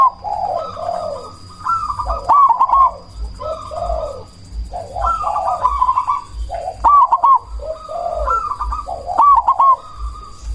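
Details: Zebra dove, cemani variety, a loud singer used to lure and provoke other doves into calling and to stir breeding drive; repeated cooing phrases ending in quick bright trilled notes, several overlapping series, with a constant high hum and low rhythmic thuds.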